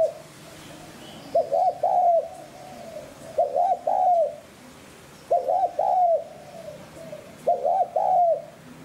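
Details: Spotted dove giving coos meant to excite captive birds into calling and draw in wild doves. Four regular phrases roughly every two seconds, each made of stuttered hollow notes ending in a drawn-out, soft trailing coo.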